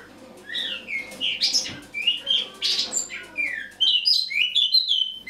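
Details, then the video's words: Eurasian blackcap in autumn song on the morning of 1 October 2017, starting softly then building into loud scratchy chatter followed by a run of clear, downslurred whistled notes. "Осеннее пение славки-черноголовки (Sylvia atricapilla)"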